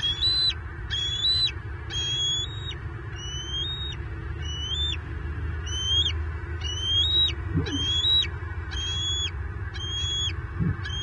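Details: Southwest Florida bald eagle nest, 9 May 2023: the only eaglet calls during the male's fish deliveries with a steady string of high whistles, around one per second, each rising sharply then held flat and dropped, faint background hum.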